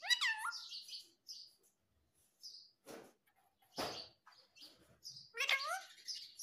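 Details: Indian ringneck parrot, green, utters a rising, hooked, voice-like phrase, then scattered high thin chirps and soft rustling thumps, and ends with another strained rising vocal phrase.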